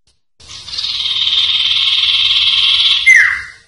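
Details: A Common Iora, in a recording used as tutor song for captive birds, gives a long, even, high buzzy trill for nearly three seconds, ending in a quick, sharp downslurred whistle.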